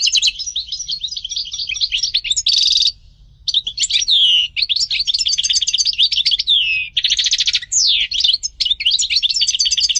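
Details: European goldfinch in full song, long runs of bright twittering and rattling trills with sweeping slurred notes and one brief pause, over a soft low background hum.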